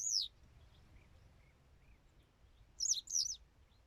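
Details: Western yellow wagtail: one slurred high note, then after a pause a quick pair of buzzy high notes; faint softer chirps from other birds in between.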